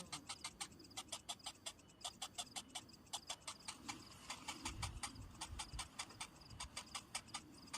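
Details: Hungry cinnamon bittern chick begging while its parent brings no food: rapid dry clicking notes in quick bursts, some closely spaced and some with short gaps, with low rumbling noise beneath.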